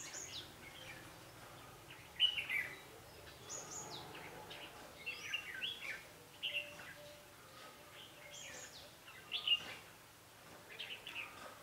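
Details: A red-whiskered bulbul singing during trapping on 11 November 2016, a bird called fighting-spirited: repeated short chirpy whistled bursts about every one to two seconds, fairly distant, with faint background noise.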